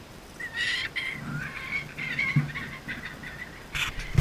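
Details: Kookaburra uttering repeated grating, nasal notes that run together into a soft chortle, followed by a louder burst near the end; low knocks are also heard.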